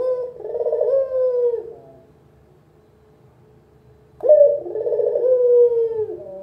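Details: Two low, burring coo phrases from a local spotted dove, a lure sound for beginners, each wavering then falling away, separated by about two seconds of near quiet with faint hum.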